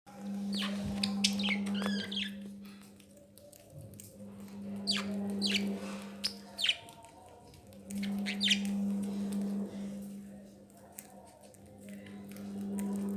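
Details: Pet budgerigars at home chirp in quick bright bursts over a steady low electrical hum.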